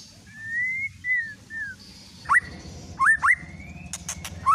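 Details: White-rumped shama lure song for provoking singing: long gently rising and falling whistles, then sharp upswept whistled notes with a few crisp clicks, over a low background hum.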